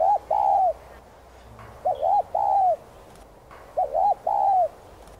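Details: Spotted dove song from Vietnam: three phrases spaced about two seconds apart, each a quick wavering double coo followed by a long, smooth, slightly falling coo, over soft background noise.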